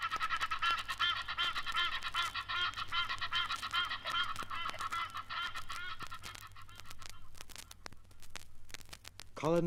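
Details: Egyptian geese alighting noisily at the water's edge of East African lakes and rivers give a loud chorus of harsh, nasal honks in rapid succession that fades after about five seconds, then a brief voice.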